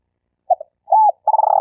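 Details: Spotted dove giving a stuttering lure call used to train newly caught birds and attract birds for hunting: two short low coos, a longer rounded coo, then a fast run of pulsed coo notes.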